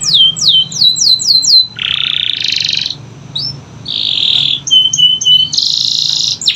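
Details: Canary training song to get silent canaries singing: falling whistled sweeps, then dense buzzy rolling phrases alternating with short clipped notes and a final harsh buzzy burst.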